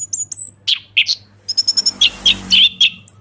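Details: Orange-headed thrush in open ngeplong song, played to make a stalled caged bird reply: thin high whistles, then a quick series of sharp chirps and rich warbling notes.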